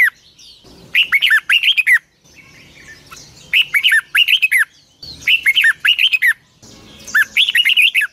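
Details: Red-whiskered bulbul morning song with a long twisted double voice, a lure sound for training birds. Four vigorous phrases of rapid, up-and-down whistled notes repeat about every two seconds.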